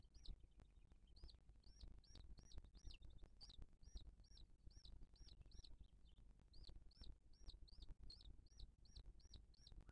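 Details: At a Booted eagle nest in 2023, filmed live while the mother feeds her chick. Long runs of high, arched whistled notes repeat quickly, with a pause midway, above constant low-frequency noise.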